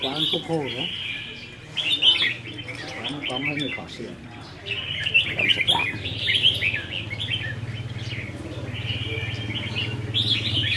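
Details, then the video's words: Caged red-whiskered bulbuls training in a singing contest, 15 May 2021: bursts of bright, warbling chirps and trills recur throughout, with a low hum and human speech in the background. "Chào Mào Đấu Giàn | Dợt Chim Chào Mào Đấu Hót"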